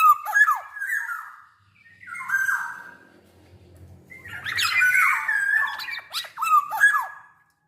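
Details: Big-bodied, vigorously singing captive black-naped oriole, used as a lure to get other orioles singing: rich, fluting whistled phrases broken by harsh nasal squawks, in bursts with short pauses, over a faint low hum.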